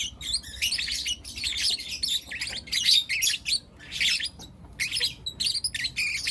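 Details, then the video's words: Lutino lovebird chicks, four of them, chattering in the morning: dense, buzzy high chirps in rapid runs, pausing briefly, then resuming with quick sharp notes. "Lutino LoveBird Chirping Sounds - four Cute LoveBird Kids"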